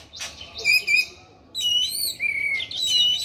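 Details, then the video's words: Rich warbled phrases from an orange-headed thrush singing gacor, with two short bursts followed by a long flowing whistled passage that wavers and descends. "Anis merah gacor teler"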